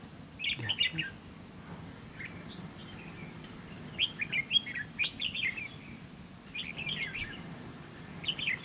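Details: Trap-fight decoy Red-whiskered bulbul singing to bait rival birds: clusters of bright warbling whistles arrive in bursts separated by quieter pauses of a few seconds, with a steady low-frequency murmur beneath.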